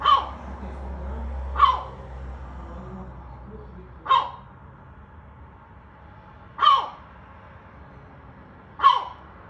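A gull gives five short, gruff, dog-like barks, spaced roughly two to two and a half seconds apart, over a low background rumble.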